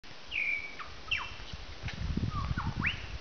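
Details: Wild lyrebird in the bush about an hour from Melbourne, Australia, giving mimicked calls: long whistled notes, sharp downslurred whistles and rising upslurs, over low rumbling, snorting bursts near the end.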